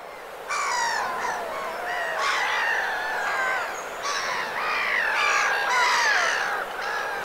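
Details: Black-headed gulls in winter plumage calling in the Vilaine estuary, Morbihan, France, on 22 February: harsh, drawn-out squealing cries with downslurred tails, several overlapping in quick series.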